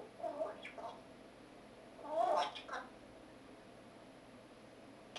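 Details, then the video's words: Eight-and-a-half-month-old pet African grey parrot singing what is described as sad songs: soft warbled notes early on, then a louder burst of harsh, wavering tonal calls mid-clip, followed by quiet room hum and a brief squeak at the end. "African grey parrot , Жако Кима, 8,5 месяцев. Грустные песни)))"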